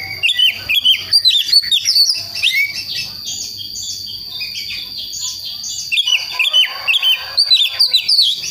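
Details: Young West Javan Priangan magpie-robin in song practice, moving from soft to rough twittering toward ngeplong: bursts of sharp, fast whistled notes open and close the passage, with softer scratchy chatter in between and a steady high tone.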